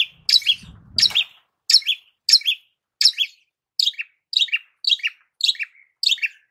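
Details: Cendet (long-tailed shrike) giving a lure song for songbird training: a steady run of about ten paired sharp notes, a high click then a lower slurred whistle, spaced under a second apart, with one brief low thump.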